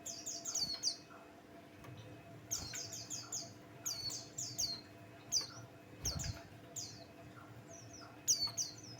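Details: Buxtoni white-eye (pleci) song, used as a lure to provoke other birds into singing: bursts of high, thin, rapidly descending chirps and twitters, repeated every second or so, over a steady low electrical hum and occasional soft knocks.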